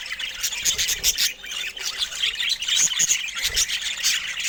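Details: Budgies give a loud mix of bright whistled chirps and harsh squawks, several birds overlapping in a steady, fast-paced flock chatter.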